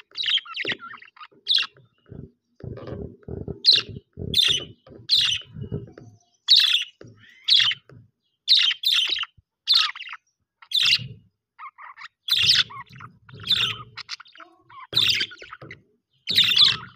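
A budgerigar gives quick, scratchy chirps in short bursts, one after another.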